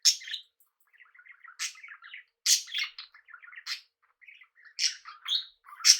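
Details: Pet budgies kept among cockatiels alternate quiet murmured ticking chatter with loud, harsh, rasping screeches that come in clusters.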